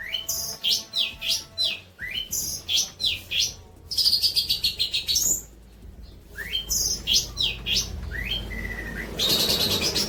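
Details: Long-tailed shrike song meant for training other birds: rapid harsh downslurred notes in bursts, a fast trill, then a level whistle and a burst of buzzy noise.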